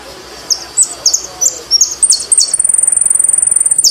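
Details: Saffron finch, Argentine type, sings a string of sharp, high chirps that speed up, then break into a long, rapid, buzzy trill of repeated very high pulses running to the end.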